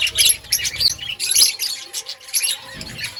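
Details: Many budgerigars calling in an outdoor breeding colony: quick bursts of high, twittering chirps and scratchy chatter, pulsing roughly twice a second with short lulls between clusters.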